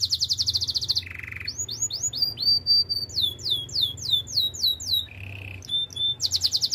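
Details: Canary singing for training: a buzzy trill, a lower rattling roll, then rising and falling slurred whistles repeated in series, another low roll and a closing high buzzy trill.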